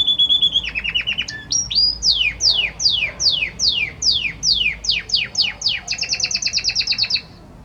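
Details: Singing male Belgian canary directing song at a female: short trills, then a long series of clear descending whistled sweeps, about two per second, ending in a quick bright trill.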